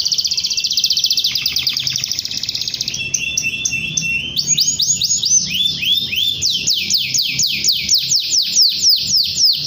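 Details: Singing canary calling a rival to stimulate young birds: opens with a long rapid buzzy trill, moves into lower repeated chirps, then a steady run of high down-slurred whistled notes.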